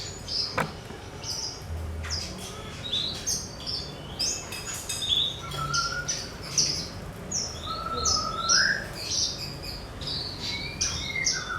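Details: Javan bush lark singing on a training recording meant to get all kinds of birds singing: a dense, varied stream of high chirps, twittering trills and slurred whistles, some notes sliding lower, with a faint low hum.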